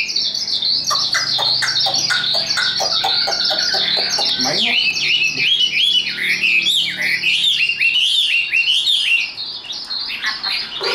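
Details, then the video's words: Chinese hwamei, tame and hand-carried in a cage, pours out loud high song: busy sharp chirps at first, then a flowing chain of bright upslurred and downslurred whistles. "Họa mi số 1129 Chim thuần sách tay hót cao cầu đấu tốt"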